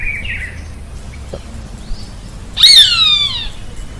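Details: Roadside hawk, found in all Brazilian states and said to call while flying: one loud, harsh, descending scream lasting about a second, preceded by a faint short whistle, over low background noise.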